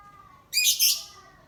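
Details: Lovebird sunning in dull, overcast weather, ngekek panjang style; one shrill, rasping double burst of high chatter lasting about half a second over a quiet steady hum.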